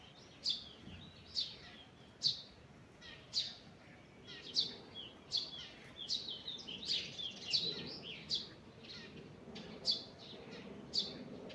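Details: Morning birdsong in a forest: a busy run of high, sharp chirps and short twittering notes, sometimes overlapping as if from more than one bird, repeated almost continuously over a low background rumble.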